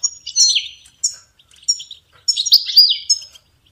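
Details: European goldfinch song for songbird training: short, high twittering phrases with slurred, buzzy notes, in bursts separated by brief pauses.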